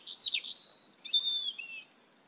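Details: Red-eyed Asian glossy starling from a flock stripping backyard papaya plants: a sharp squeaky burst falling into a drawn-out thin whistle, then a brighter, ringing metallic note with a short dropping tail.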